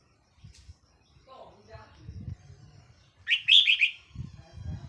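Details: Red-whiskered bulbul used as a decoy, 4 May 2023: one lively rippling whistled phrase near the end, preceded by soft lower sounds and faint background rumble.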